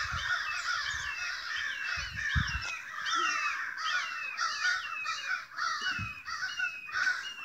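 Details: Crows gathered in a big noisy flock beside a home, agitated for no known reason. Dense raucous cawing from many birds at once, rough and repeated without a break, with occasional low bumps from nearby handling.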